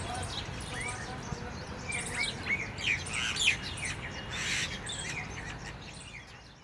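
Jungle babblers chatter in a busy, overlapping stream of high squeaky chirps and one harsh rasping burst, over a steady low rumble of background noise.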